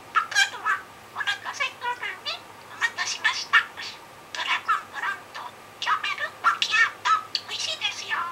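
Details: Talking pet budgerigar, filmed indoors on 7 July 2016, role-playing a shop clerk and repeating the same customer-service phrases. It produces a steady stream of clipped, high, speech-like syllables in quick bursts over several seconds.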